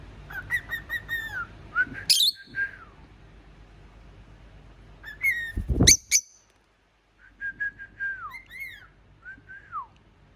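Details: A pet cockatiel whistles clear, repeated notes that slide up and down in pitch, imitating a ringing telephone, with some sharp chirps breaking in.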